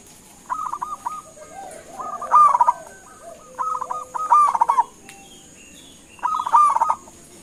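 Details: Local zebra dove (perkutut) calling to make other birds answer: short clipped coo series alternating with rolling, quavering bursts about every two seconds, plus faint thin chirps and a steady high hiss.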